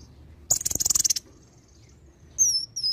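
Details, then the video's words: Olive-backed sunbird gives lively varied song with imitations. A loud, rapid, high rattling trill is followed by two thin, falling whistles. "KONIN GACOR ISIAN VARIASI"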